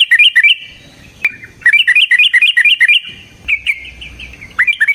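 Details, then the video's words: A yellow-vented bulbul delivers a provoking fighting song in repeated quick phrases of rollicking, up-and-down notes, broken by short gaps and a single sharp click. "Suara Burung TRUCUKAN gacor TARUNG ROPEL PANJANG pancingan trucukan agar JADI trucuk gacor EMOSI"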